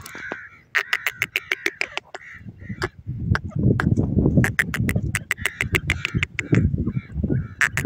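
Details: Grey francolin, known locally as koti teetar, on open ground: short harsh nasal calls in bursts, mixed with rapid sharp clicking pulses and a low rumbling background.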